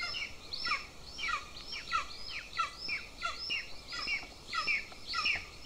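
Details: Two golden eagle chicks at their nest in Lahemaa, northern Estonia, filmed by nest camera at breakfast on 25 June 2024; a rhythmic series of squealing, downslurred calls repeats about one and a half times per second, with faint background noise.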